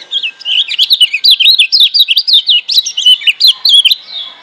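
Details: Wild Lemon-bellied white-eye from Lombok in the gebokan song style, used as a master song to get quiet birds singing: a loud, fast, continuous twittering warble of sharp, wavering whistled notes, rising and falling without pause, with faint room background.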